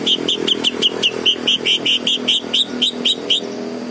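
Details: Green leafbird repeating a steady string of about sixteen clear chirps, roughly four each second, over a low engine rumble.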